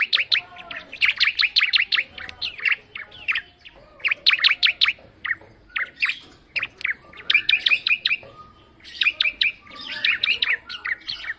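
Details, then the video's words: Lively, lilting song of a bar-winged prinia, made of dense clusters of bright, high chipping notes repeated in quick bursts with brief gaps throughout, over a quiet background. "Suara Burung Ciblek Mendayu Auto Gacor"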